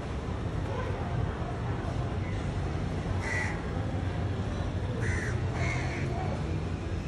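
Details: Crows perched in a tree give three short harsh caws, spaced about a second or two apart, over a steady low rumble of traffic and distant street noise.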